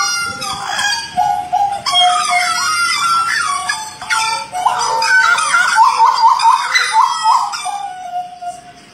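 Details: Butcherbird in lively song from Jayapura, Papua: a dense, varied medley of rich whistles, slurs and warbled phrases, delivered almost without pause.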